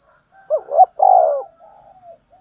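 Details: Spotted dove decoy bird calling to lure wild doves for trapping: one low cooing phrase, a quick double rising coo then a longer hoarse falling coo, with faint soft cooing trailing after.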